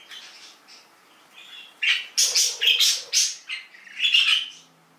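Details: Canaries, called very pretty exotic birds, making bright, high chirping calls that begin soft and sparse and then become a loud run of rapid, harsh chirps and trills in the second half.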